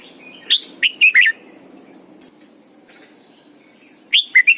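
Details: Red-whiskered bulbul giving morning song used to train other birds: a phrase of four bright, slurred whistles, a pause of nearly three seconds, then the phrase begins again.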